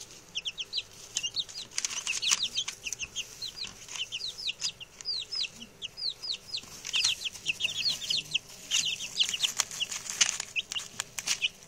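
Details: Chatty newly arrived male chicks, six in all, give a dense run of high, falling peeps in overlapping bursts, with some clicking and handling noise in the background.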